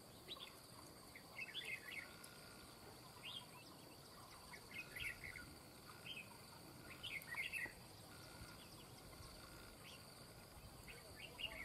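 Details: Red-whiskered bulbul during trapping of an escaped bird: bright, warbling phrases repeated every couple of seconds, some with fluty rising and falling notes, against constant insect hum and faint outdoor noise.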